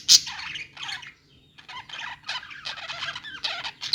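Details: Budgerigars in a pet store, harsh squawky warbles in short bursts, a brief lull near the middle, then more rapid chattering chirps.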